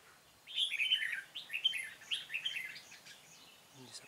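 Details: Decoy red-whiskered bulbul in a trapping session on 13 March 2017, delivering a continuous run of fast, chattering warbled notes that fade toward the end.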